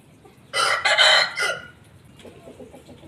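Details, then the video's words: Aseel rooster gives one loud, rough, hoarse crow in several choppy bursts lasting about a second, fading into low background rumble and faint clucking. "Aseel Roosters Crowing"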